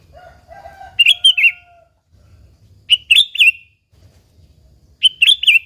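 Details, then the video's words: Sooty-headed bulbul gacor song used to lure other bulbuls. Three bubbly, rolling phrases come about two seconds apart. The first is overlapped by a lower, drawn-out call from another bird, over faint low rumble. "Suara Burung Kutilang Gacor ASLI Tanpa isian,Ampuh tuk pancingan Kutilang bikin kutilang Ribut gacor"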